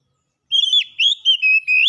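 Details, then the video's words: Contest-champion Oriental magpie-robin (kacer) singing after a brief silence: clear whistled notes that rise and dip, delivered in four quick connected phrases. "Burung Kacer Juara Kontes"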